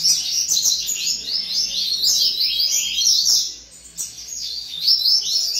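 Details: Coleiro in a breeder's aviary singing rapid, high, chattering phrases of sweeping notes that pause briefly and then resume, along with a faint low hum.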